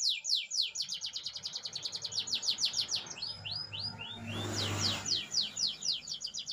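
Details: Canary's rolling song: a fast run of downswept notes, a few rising whistles, then more rapid sweeps, with a steady low hum and a short burst of noise.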